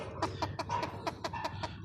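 Chinese francolin giving a quick series of harsh, clucking notes, about five a second, over a low background rumble.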